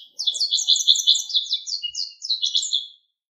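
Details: A Japanese Wagtail, a riverside bird, sings a quick, twittering run of high chirps and trills for about three seconds, bright and slightly scratchy, with nothing else heard.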